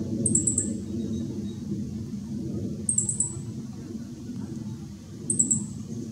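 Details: Meadow bunting singing in backlit shade on 2 July 2016, three short high rapid note bursts spaced roughly two and a half seconds apart, with constant low-pitched rumble beneath.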